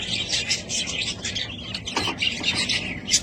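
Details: Budgies at home chattering with high chirps and harsh squawks, a steady overlapping flock babble with a low background hum.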